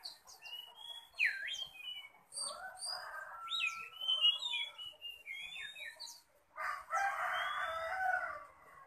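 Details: Oriental magpie-robin ready for contest, singing fiercely with display: whistled slurs, one deep swooping note and high chips for six seconds, then a loud, harsh, broad rasping noise covers the last two seconds.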